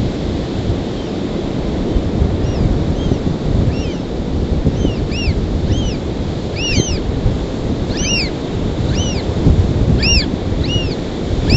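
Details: An American oystercatcher incubating its egg on its nest gives loud, sharp, down-slurred 'wheep' whistles, repeated about twice a second and growing more insistent, while driving nearby willets away, over strong wind and surf roar.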